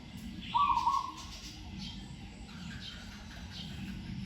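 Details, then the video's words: Lone Zebra dove in training, caged and hung in trees, noted for a sweet voice and good phrasing: a single quick rolling coo early on, then quiet with faint bird chirps. "นกเขาชวาฝึกต่อ เสียงเพราะๆ เดินกลอนดีๆ"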